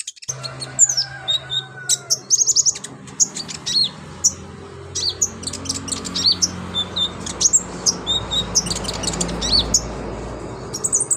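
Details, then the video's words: A lively sunbird (konin) sings a stream of thin, high chirps and sharp twittering notes in rapid bursts, over a faint low hum. "BURUNG KONIN GACOR LINCAH BONGKAR ISIAN"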